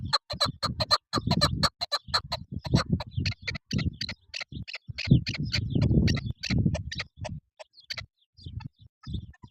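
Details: Chukar partridge giving a rapid, irregular stream of harsh clucks, about two per second, dense and chattering throughout, over a steady low rumble.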